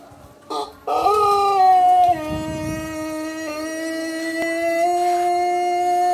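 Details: A male Pelung rooster of the pejet colour, from Garut, gives a long, drawn-out crow held on a steady, slightly wavering tone.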